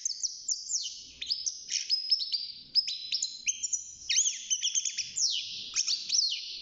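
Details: Caged young European goldfinch beginning its song at six months: continuous high twittering and thin sustained whistles, punctuated by sharp downward-sweeping notes toward the end.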